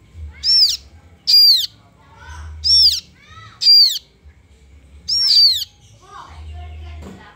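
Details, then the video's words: Begging cries of a kaso kaso bird chick: six piercing, downward-arching calls in an uneven series about a second apart, with faint low rumble between them. "SUARA ANAKAN BURUNG KASO KASO"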